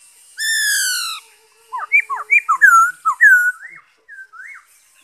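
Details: Black-throated laughingthrush singing, recorded 5 May 2021: a long, loud, downward-sliding whistle with bright overtones, then a quick run of looping, warbled whistled notes that fade into a few softer rising whistles.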